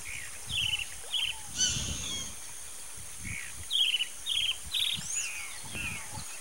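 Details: A disturbed roadside hawk repeats harsh, nasal, buzzy notes that drop slightly in pitch, in short groups separated by pauses. Softer calls from other birds and a steady hiss run underneath.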